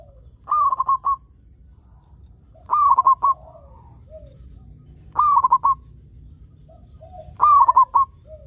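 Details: Local zebra dove in energetic song, played as a lure to make other zebra doves sing. Bursts of quick, staccato, rolling cooing notes, each followed by a softer trailing coo, repeat about every 2.4 seconds.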